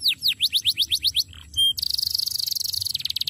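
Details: Canary singing a master song: seven high notes each sliding downward in quick succession, a brief pure whistle, then a very fast dense buzzing roll.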